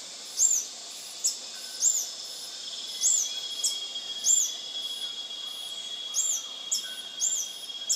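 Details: Lekking male Scale-throated Hermit (Phaethornis e. eurynome) at Intervales, Brazil, 29 Dec 2019, repeats a very high, thin, squeaky note about once a second, over a steady buzzing drone of insects.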